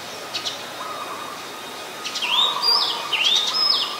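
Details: Oriental magpie-robin, Ubon Ratchathani, Thailand, 7 January 2021, Nikon P1000; near silence at first, then three sweet rising whistles sliding upward in the last two seconds over a low soft drone.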